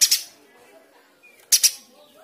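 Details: A lively male streaked spiderhunter, a master bird for training other songbirds, utters two grating, doubled 'shot' notes about one and a half seconds apart, over quiet background chatter.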